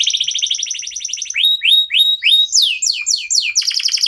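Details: Local canary singing as a prompt for other songbirds: a fast high trill, then a series of rising whistled slurs and falling sweeps, closing with a buzzy rolled trill.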